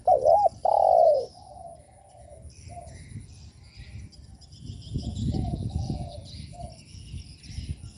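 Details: Spotted dove coo used to provoke other doves: a loud wavering double note and a long hollow coo open the recording, followed by faint distant coos and low rumbling noise.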